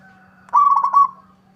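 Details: Local zebra dove singing to prompt a rival's reply: a single short rolling, bubbling trill lasting about half a second, fading into a steady low hum.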